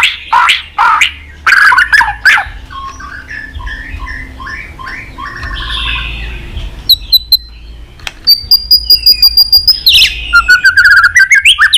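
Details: White-rumped shama in varied fighting-style song with many voices: loud squawky notes, then warbled phrases, then fast even series of sharp chips, ending in a bright rising trill, over a low rumbling background.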